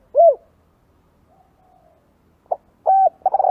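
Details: Spotted dove lure sound: a single arched coo, a long near-silent gap with a faint trailing tone, then a short note, a flat coo and the start of a rolling croon.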